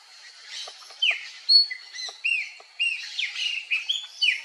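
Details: A female crimson-crested woodpecker gives a rapid run of high, squeaky, down-slurred chirps, about two per second, some overlapping, with faint ticking notes beneath.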